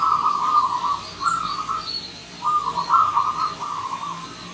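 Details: Wild visiting zebra dove delivering a series of quick, rolling staccato coos in linked phrases, with faint higher bird notes behind.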